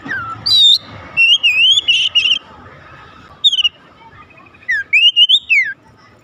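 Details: Magpie-robin, known as kacer, song meant to stir other magpie-robins to sing: bright whistled phrases in separated bursts, looping notes and downward slides, with a faint background hum between bursts.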